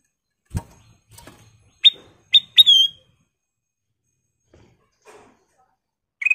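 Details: Ruby-throated bulbul singing three rising whistled notes, the third sustained and slurring down, after a couple of soft knocks; a brief whistle ends the passage.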